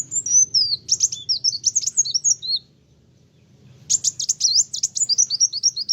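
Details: Kolibri wulung sunbird singing energetically, said to provoke other birds: two bursts of very high, rapid, twittering notes with slurred whistles, separated by a pause of over a second.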